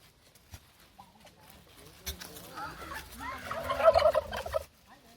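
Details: Turkeys showing off at Fort Edmonton Park in Edmonton, giving a loud rattling gobble that builds over about two seconds and then stops abruptly, after quieter scattered clucks.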